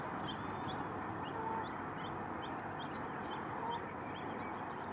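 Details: Arctic geese with their chicks, a flock of dozens among millions of white flowers: thin, high, upslurred peeps repeat in quick irregular succession over a steady roar of broadband wind-like noise.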